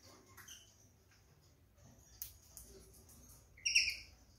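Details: Pair of Gouldian finches in a cage, busy pecking jute inside the nest: faint scratching and taps, then one clear, loud, high call with stacked tones that drops away quickly near the end.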